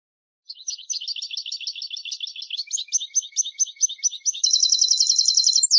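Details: European goldfinch singing: a long run of varied, high, liquid twitters and chattering notes, switching after about four seconds to a very fast, intense, buzzy trill that continues to the end. Clean, with no other sounds.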